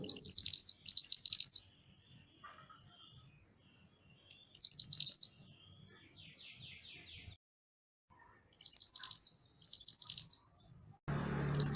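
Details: Mantenan gunung in energetic song, recorded as a master track to teach other songbirds: short clusters of shrill, rapid, chattering trills repeated in paired bursts separated by pauses, with faint low rustles between.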